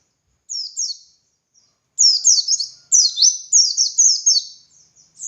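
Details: White-eye of the pleci dakun type, singing ngalas to train other white-eyes: two soft opening chirps, then a dense, accelerating chain of shrill descending twitters.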